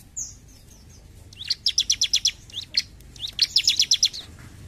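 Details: Bar-winged prinia singing 'gacor jump shoot': a thin opening whistle, then two quick rattling runs of bright, evenly spaced high notes separated by single sharp chips.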